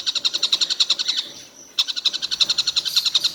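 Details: Collared kingfisher calling without end through the day: a run of crisp, high, ringing notes, about seven per second, a half-second silence, then the series restarts.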